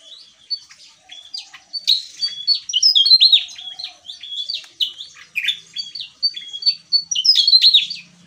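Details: Javan tesia singing in gacor ngeplong fashion: a lively chatter of high, sharp, repeated chips and short whistles in quick phrases, loud and near-continuous, with a faint low hum near the end.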